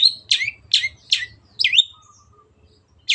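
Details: Long-tailed shrike, a pet cage bird, producing quick repeated rasping high notes and a twisting whistled phrase, then a pause and another rasp, over faint low hum.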